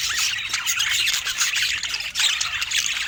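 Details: Several budgerigars of rare colour mutations chatter together in bright natural light, producing thick overlapping squeaks, short whistles and scratchy warbles that never pause, with a brief dip in volume near the end.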